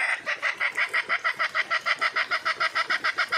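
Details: A red junglefowl hen calling to attract a mate delivers a loud, evenly paced chain of roughly seventeen sharp, nasal clucks in just over three seconds, with nothing else prominent.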